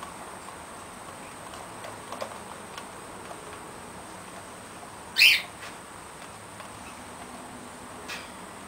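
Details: Pet short-billed corella using a foraging wheel in its cage: one sharp, rasping screech midway, followed by a faint softer note, over a quiet indoor hum.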